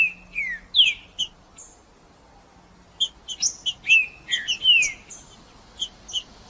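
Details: Green-winged saltator male singing to stimulate other birds: two brief whistled downslurs open, then a quiet gap of about a second and a half, followed by a rapid run of slurred whistles and crisp high chips.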